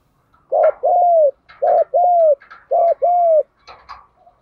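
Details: Spotted dove singing in the mixed 'giọng đồng pha thúc gù' style, played to prompt caged doves to sing: three deep cooing phrases, each a short hooked coo followed by a longer falling coo, with faint clicks after.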